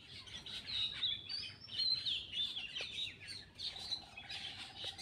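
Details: Eating Black-winged myna delivering rapid, busy chatter of squeaky and whistled notes, including gliding slurs, with a brief buzzy rattle near the end and little background noise.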